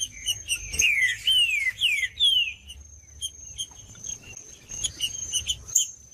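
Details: Green-winged saltator song meant to stimulate other saltators: four bright descending whistles in the first two seconds, then only soft high chips and a steady thin high tone.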